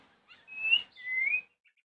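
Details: White-rumped shama in the morning, its song meant to draw replies from rival shamas: two pure, drawn-out whistles, the first rising, the second sliding upward after a brief gap.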